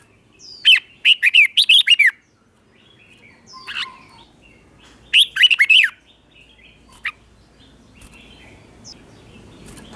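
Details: Doubled song of a caged red-whiskered bulbul, meant for young birds to copy: two fast bursts of bright, bouncy whistled notes several seconds apart, with a few lone chirps between and quiet background.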